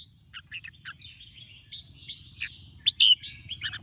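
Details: Red-whiskered bulbul being trained to sing in the morning: softer scattered chirps and short whistled notes, ending in a brighter burst, with steady low background noise.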